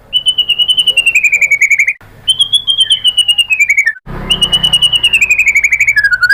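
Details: White-rumped shama (murai batu) lure for provoking song: three long, very rapid high trills, each gently falling in pitch, separated by brief breaks.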